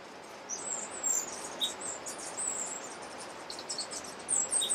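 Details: White-necked Jacobin (Florisuga mellivora mellivora) in Alambi Cloud Forest Reserve, Ecuador, May 2012: very high, thin, squeaky notes in short scattered bursts, some in quick clusters, over a steady rushing background hiss.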